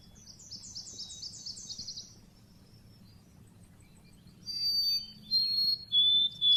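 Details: Lure recording of Oriental white-eye (pleci) from Indonesia's bird-keeping hobby: a falling series of buzzy high notes, a pause, then bright piercing whistled phrases repeated in short bursts.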